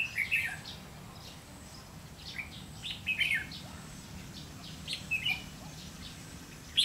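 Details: Red-whiskered bulbul used as a decoy in bird trapping, recorded 30 May 2016, singing in the challenging "ché" style: short, bright, chirpy bursts near the start, around three seconds and around five seconds, with quiet gaps and a faint steady high hum.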